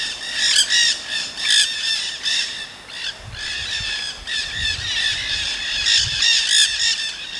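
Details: Nanday parakeets living wild in Solstice Canyon, Malibu, California, in March 2017; a noisy flock gives overlapping shrill, rasping screeches in quick irregular bursts, with a brief lull midway and low rumbling outdoor noise.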